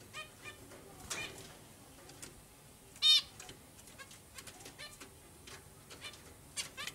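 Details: Zebra finches eating sliced pieces of egg, filmed on a camcorder: faint scattered short nasal calls throughout, with one louder harmonic-rich honk near the middle over steady background hiss.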